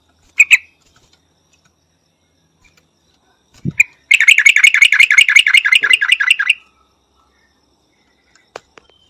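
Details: Yellow-vented bulbul song: after two brief chirps, a fast bubbling run of about fifteen sharp, slurred notes lasting over two seconds, then quiet with a few faint clicks.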